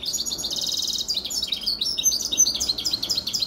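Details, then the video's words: European serin hybrid (mule) song recorded in 2021: a fast, high, jingling run of tinkling notes, with a dense buzzy trill near the start, then rapid glassy twitters. "mulet serin cini chant"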